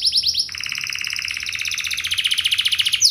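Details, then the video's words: Canary lure song to set other canaries singing back: a quick run of high chirps leading into a long, even, rolling trill that pulses steadily and rises slightly toward the end. "99,99% Burung Kenari Lain Bakal Langsung Nyaut! Pancingan Burung Kenari Lagu Mewah Cengkok Joss"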